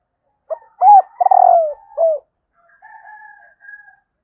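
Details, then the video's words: Cooing phrase from a female spotted dove calling to rouse males. A sharp pickup note, a loud arched coo, a buzzy falling trill and a short final coo, followed by a faint, harsher drawn-out call. "Tiếng cu mái kích trống"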